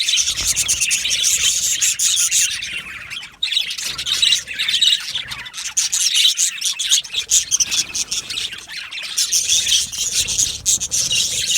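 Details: Budgie parakeets of Australia in a colony aviary, producing lively chirping and tweeting in dense overlapping streams, briefly quieter midway before the chatter swells again.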